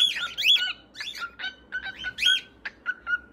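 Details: Several cockatiels chattering in a dense, overlapping run of scratchy chirps and short squawks, almost without a break, with a faint, steady tone underneath.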